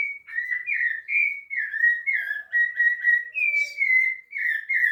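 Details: Rufous-bellied thrush at Piedade delivering a continuous run of rich, fluting whistled notes, each slurred phrase shifting up or down in pitch, with faint higher overtones and occasional soft background chirps.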